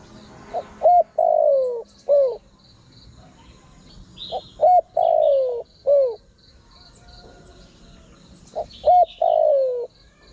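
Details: Spotted dove calling as a lure to attract wild birds: three cooing phrases, each a soft short note, a clipped coo, a long drawn-out falling coo and a shorter falling coo, with faint high chirps of other birds behind.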